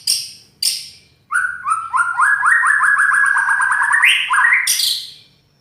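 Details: White-rumped shama with a loud, harsh song: two sharp high bursts, then a long run of quickly repeated descending notes that climb stepwise in pitch, closing with a buzzy burst.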